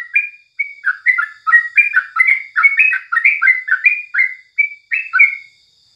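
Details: Morning singing by a yellow-vented bulbul, a brisk sequence of short chirruping notes that step up and down in pitch, ending with a couple of drawn-out, clearer whistled notes.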